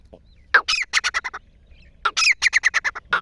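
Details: Grey francolin giving its hunting call: two bursts of harsh, loud, clipped notes in rapid series, each note strong near the middle range with a sharp accented start, separated by a short pause.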